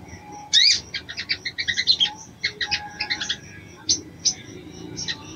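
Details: Female crimson sunbird calling for the male with clusters of high, rapid chips and squeaky notes, thinning to a few isolated chirps near the end.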